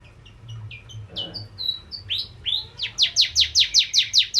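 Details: Bar-winged prinia singing lively as a lure for crystal ciblek birds: soft high slurred notes, then a rapid string of loud downslurred chirps repeated about three per second, with faint low hum behind.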